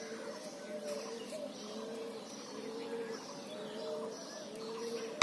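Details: Birds in a natural setting give soft, low, drawn-out cooing notes repeated in steady phrases, heard over a constant background hiss.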